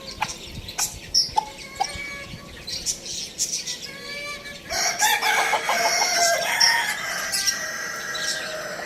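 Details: Rooster crowing loudly. Scattered high twittering from small birds comes first, then a broad, harmonic, sustained crow rises and holds for about four seconds, with chirping continuing over it.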